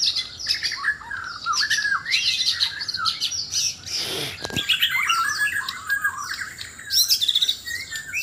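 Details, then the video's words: Sabah White-rumped shama singing loudly in a contest while seeking a mate: dense run of whistled, warbling phrases and squawky notes, broken near the middle by a brief noisy rustle, then resuming with bright chattering bursts. "Murai batu Sabah: aksi mencari pasangan lawan suara keras"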